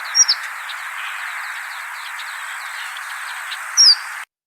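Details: Horned lark (Eremophila alpestris) giving thin, high, clipped two-part calls, similar to but with fewer harmonics than a Chestnut-collared Longspur's, noisy when moving in groups near water tanks in winter grassland; steady hiss.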